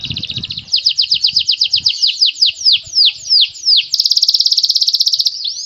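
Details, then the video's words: Canary (kenari) singing a prized cengkok phrase: about twenty high, sharply down-slurred notes repeated roughly six per second, slowing slightly, then a fast buzzy rattle trill for over a second and a final short note, with faint low thumps early on. "Raja Cengkok KENARI"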